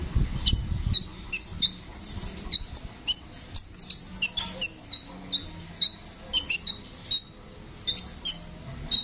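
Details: Brown-throated sunbird, called kolibri ninja, singing actively in a continuous rolling style (ngeroll): sharp high chirps and short whistled notes repeated about every half second, with a low hum and a brief thud at the start.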